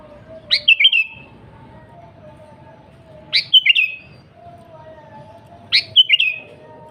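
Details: Sooty-headed bulbul in lively, energetic song, used as a lure to draw wild bulbuls: three short bright phrases, each a sharp rising note followed by two or three bubbly whistled notes, repeated about every two and a half seconds over low background hum.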